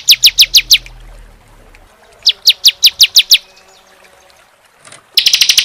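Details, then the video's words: Bar-winged prinia (ciblek) in a songbird training recording, singing in the 'tembakan AK-47' style: a run of five sharp high notes, a pause, seven more, then a sudden dense rattle of rapid notes. "masteran CIBLEK SEMI ( CISEM) TEMBAKAN AK-47 ngeclak rapat panjang"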